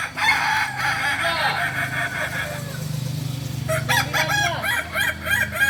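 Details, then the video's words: Kokok Balenggek roosters at crowing practice in Amko, Solok city: a sustained multi-step crow first, then after a low rumbling vehicle-like drone, rapid choppy notes from other roosters. "Latberan ayam kukuak balenggek"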